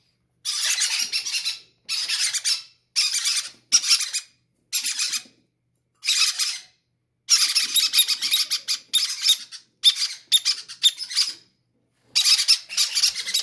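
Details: Greedy baby parrots begging to be fed first, indoors; harsh, hissing, raspy cries in repeated bursts of about one second, separated by short silences, pulsing rapidly within each burst.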